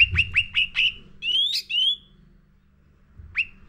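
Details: Sooty-headed bulbul (cucak ranting) lure song for training caged birds: four quick hooked chirps, two rising drawn whistles, a pause, then a single sharp chirp.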